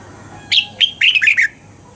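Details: Red-whiskered bulbul being trained to sing in the morning, in a wild-style double-note song: a loud, brief phrase of five clear whistled notes, the first two spaced apart and the last three given quickly together.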